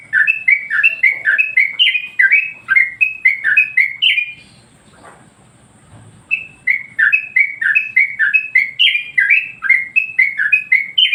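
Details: Master song of a yellow-vented bulbul, played to make other birds agitated: quick bubbly whistled notes in a steady stream, a two-second silence in the middle, then the same rapid liquid phrases resume.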